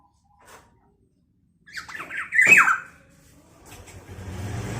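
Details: Vocal black-naped oriole, whose voice reportedly provokes other orioles, gives a faint note, then a rapid run of harsh squawks peaking in one loud descending rasp, followed by low rumbling background noise.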